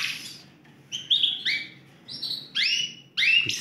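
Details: Yorkshire canary, Romeo colour, among four singing caged birds, gives a series of sharp rising chirps and short bright whistles spaced by brief silences.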